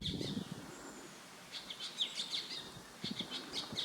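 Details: Ashy drongo in Uttarakhand, India, in May 2016: short high chirps and clipped whistled notes in scattered bursts, busiest in the second half, over a low rumble of background noise.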